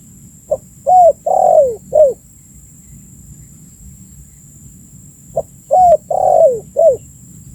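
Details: Used as a lure to attract birds, a spotted dove gives two identical coo phrases about five seconds apart. Each is a tiny pip followed by three mellow coos, the last two sliding down in pitch, over a faint steady hum.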